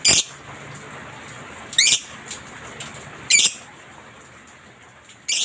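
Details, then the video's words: Lovebird heard on a masteran recording meant to make pet lovebirds sing: a few loud, harsh, high squawks spaced one to two seconds apart, with a faint soft note between them and a quiet background. "masteran suara Lovebird ini mampu membuat Lovebirdmu gacor"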